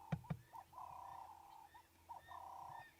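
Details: At sunrise on August 19, 2016 in Sabi Sand, a Ring-necked Dove perched overhead gives its low, hoarse cooing phrases, drawn-out notes with short rising accents, over a steady low hum and two soft thumps at the start.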